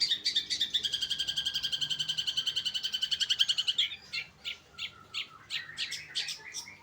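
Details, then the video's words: Long-tailed shrike singing in the late afternoon: a fast trill of bright, buzzy repeated notes for nearly four seconds, then slower, separate harsh chattering notes. "Kicauan Cendet di Sore Hari"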